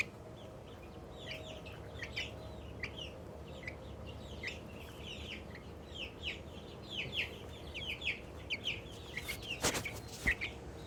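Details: Excited little Australorp chicken making happy sounds: a rapid run of high, short downslurred peeps, roughly ninety-five per minute, growing louder toward the end, with a steady low hum underneath and a brief clatter near the close.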